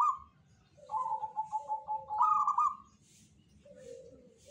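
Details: Local Jogoboyo-type Zebra dove: a long, wavering series of bubbling coos that climbs in pitch and ends in a bright rolling note, with fainter low coos from another dove afterwards.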